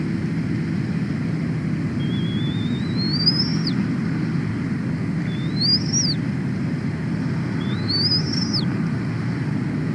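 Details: Female bald eagle at her nest in Big Bear Valley, California, USA, on 24 February 2026, just after laying the first egg of her second clutch. Three thin, rising whistled calls, each ending in a sharp drop, over a steady low rumble.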